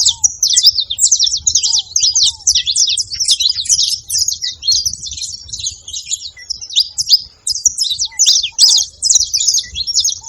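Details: Flock of canário-da-terra, the saffron finch, calling at a feeding place. Busy, continuous high-pitched chipping and twittering comes from several overlapping birds. Occasional soft lower whistles and a faint trill are mixed in.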